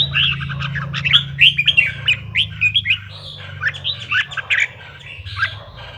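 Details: Red-whiskered bulbul song for provoking bulbuls to sing: lively, rapid chirping phrases of bright, slurred notes, loud for three seconds then thinning out, with a low hum underneath.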